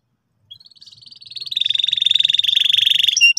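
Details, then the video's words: Ngeriwik-style canary singing, loud and persistent, for training young canaries: a thin buzzy trill begins softly and builds into a fast, pulsing rattle-like trill, ending in a short high whistle. "suara kenari gacor ngotot keras biar kenari paud cepat belajar bunyi ngeriwik"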